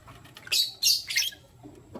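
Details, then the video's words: Lutino lovebirds, one male and two females, in the morning; three loud, grating chirps in quick succession mid-clip, with quieter moments around them. "Lutino Lovebird Chirping Sound - 1 Male Chooses 2 Females"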